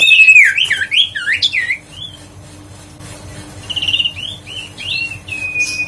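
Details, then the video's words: Huyt co bird song intended to lure and excite birds: an opening flurry of curled, slurred chirps, a pause, then softer rising notes ending in a short level whistle. "tiếng chim huyt co siêu sang chảnh//giọng nói để tăng ham muốn chim huyt co"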